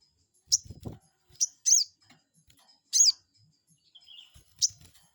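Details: Crested jay call used as a lure to provoke a rival bird into replying: five short, shrill, high chips at uneven intervals, one doubled, with a faint lower wavering note and some low handling rumble near the start.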